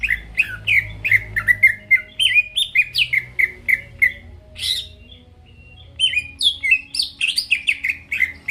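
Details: Greater green leafbird song used to make rival birds sing; fast repeated whistled notes in a chattering series, a short gap, then a renewed run of higher, varied, sliding phrases.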